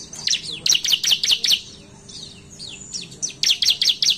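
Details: A Bar-winged Prinia sings bright, very high chirps in quick bursts of five or six, each note sweeping downward, with brief pauses between phrases; this is a competitive song used to lure prinias into singing.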